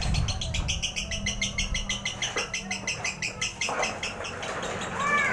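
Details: Lovebird chatter used as a lure to provoke other birds into singing: a long run of rapid, regular chirps repeated about three times a second, followed by a few clear, rising whistled notes near the end.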